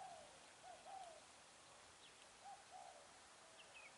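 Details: Spotted dove recorded at a Vietnamese trapping site on 10 December 2020, with a decoy bird used for trapping: soft low coos in two short groups, the first three notes then two more, over steady background hiss with faint high bird notes.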